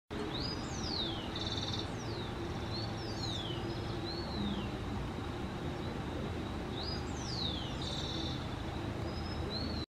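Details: Burnished-buff Tanager (Stilpnia cayana) giving thin, high, downslurred notes in two loose bursts, early and late, over a steady low rumble of background noise.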